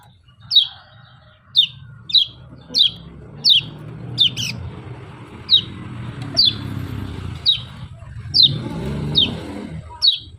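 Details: Kecial giving its "ciak ciak" call: sharp, high, downward-slurred chips repeated roughly once a second, about eleven notes in all, over a faint low hum.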